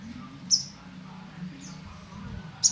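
Olive-backed Sunbird giving three thin, very high chips about a second apart, over a low steady hum.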